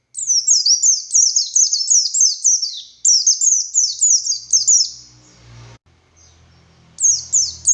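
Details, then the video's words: Male Oriental white-eye of the buxtoni subspecies, said to call the female with 'ngalas' song: about five seconds of rapid high downslurred chirping, a low hum and pause, then a final short twittered burst. "Burung Pleci Buxtoni Gacor Konslet Full Tembakan Ngalas Ngotot Fighter"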